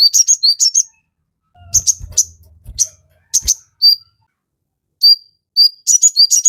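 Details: Lively crimson sunbird (sogon) song, used to train caged birds to sing. Clusters of high, piercing chirps alternate with gaps, and soft low knocks and rustling sit between the bursts.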